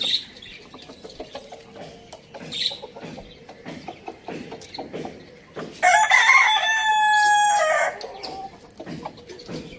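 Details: Farm-village rooster crowing: one long, strained crow of about two seconds, rich in harmonics. Light twittering from small birds comes before and after.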